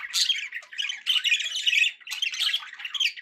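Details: Contented pet budgerigars chattering indoors: busy, squeaky warbling in two long phrases split by a brief dip, full of fast chirps and tiny whistles.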